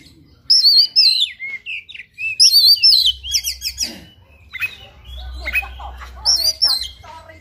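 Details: Fighting oriental magpie-robin pours out a rich, fill-in-laden song of wavering high whistles, rapid chattering runs and harsh scratchy notes, with a low hum underneath.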